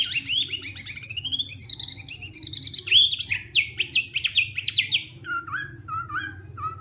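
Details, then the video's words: Hwamei singing its morning training song: a rapid run of rich, varied whistled phrases sliding up and down, ending in shorter repeated falling notes, with a faint low hum behind. "hoạ mi hót sáng luyện giọng"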